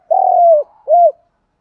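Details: Spotted dove, from a recording of cooing males and females, gives a deep, soft coo phrase: one long, smooth, slightly falling hoot followed by a short rounded note, then silence.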